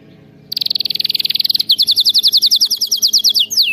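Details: Canary song used for training other canaries to sing: after half a second of quiet, a fast high buzzy trill of rapid notes, then a slower run of sweeping downward notes about six per second, ending in a falling slur.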